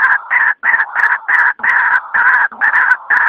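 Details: Loud white-breasted waterhen calls from a night trapping lure: long, harsh, braying notes run together in blaring bursts, each broken by a brief drop before resuming.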